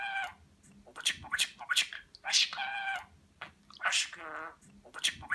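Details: A budgerigar kept at home in Rize, 2020, speaks Turkish words like 'Babacık Aşkım'. Buzzy, nasal speech-like syllables with stacked harmonics repeat in short phrases, one ending in a vibrating, rattling note.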